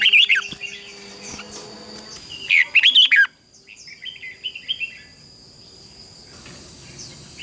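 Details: Red-whiskered bulbul singing competitive song: an opening warbled phrase, then a louder run of rising and falling whistled notes, followed by softer scattered chirps fading away, with a continuous faint high whine.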